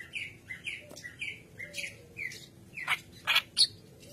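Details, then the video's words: White-browed kerak basi singing as a lure for training. Repeated short, slurred whistled notes are followed by louder, harsher chattering bursts toward the end. "Keras Basi Alis Putih Gacor Pancingan Bahan"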